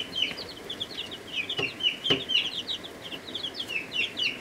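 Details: Brooder full of first-week chicks of several breeds, Ameraucana, Buff Orpington, Rhode Island Red, Barred Plymouth Rock and Black Australorp, peeping constantly; shrill downward-slurred peeps overlap densely, with a couple of sharp clicks or taps.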